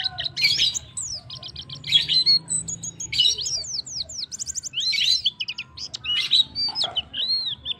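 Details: Male white-eye calls the female in quick, high twittering phrases of chirps, rising and falling whistles and rapid trills, clean and prominent.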